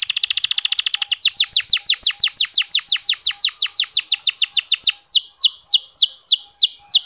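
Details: Local canary used as a training song to stir other male canaries into singing: a fast, clear, high buzzy trill of rapid repeated notes, then slower sweeping down-slurred whistles repeated about three times a second.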